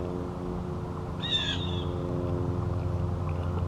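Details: A Blue Jay gives one harsh, buzzy, scolding alarm note lasting about half a second, over a steady low rumble; a flock of 19 Northern Flickers feeding on a lawn in Concord, New Hampshire, on October 4, 2020, looks up in response.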